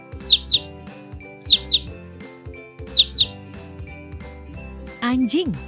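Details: Chick of a chicken giving sharp, high descending peeps in doubled bursts, repeated roughly every one and a half seconds against cheerful background music, ending with a spoken word.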